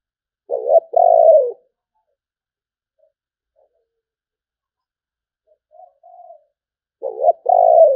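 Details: Spotted dove, 'sấm bầu' song style: two deep phrases about six seconds apart, each a stuttered double note then a long falling coo, with a faint soft coo between.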